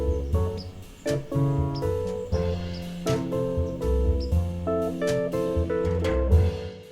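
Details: Plucked acoustic guitar music with strummed chords and single notes, no other sounds.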